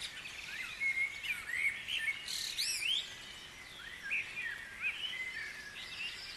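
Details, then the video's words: Guisborough dawn chorus with many birds, repeated short upward whistles and chirps from several singers, a brief dense flurry of sharp notes just past the first third. "Dawn Chorus"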